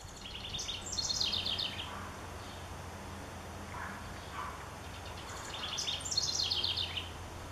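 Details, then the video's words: House wren sings two bubbly, tumbling songs about five seconds apart, each a rapid, high jumble of notes falling in pitch, over a steady low rumble. "House Wren sings"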